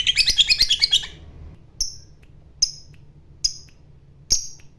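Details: Fighter lovebird opening with a rapid trilling chatter of harsh high notes for about a second, then single sharp squeaky chirps repeated roughly every 0.8 seconds over a faint low hum.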